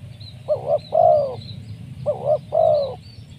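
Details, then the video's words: Spotted dove used as a decoy to lure wild doves, with a clear, crisp voice: two phrases, each a quick quavering coo then a drawn-out even coo, against low background rumble and faint high bird chirps. "Mikat tekukur,, sibanggo Poin suara mersik"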